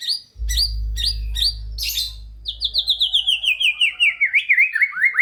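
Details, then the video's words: White-rumped shama in full, varied song, used as a master recording to stimulate lazy shamas: sharp repeated upslurred notes, then a long descending series of rapid chirps ending in twisting whistles; low hum underneath. "Murai Batu GACOR Full ISIAN‼️ COCOK untuk Pancingan Murai Malas Bunyi dan Kurang Emosi"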